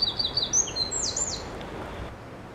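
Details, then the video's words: Wren in woodland below Pendennis Castle, a tiny bird under 10 grams that is easier heard than seen; very loud, rapid high trills and sharp whistled notes with falling slurs, over quiet background noise. "wren is quite easy to know that it is there by its call. Its song is very loud."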